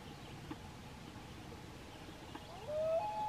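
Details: Loon at Silver Lake, Vermont, parents calling while chicks eat fish: one clear, mellow note near the end, sliding slightly upward then holding steady, after only faint hiss and a couple of soft knocks.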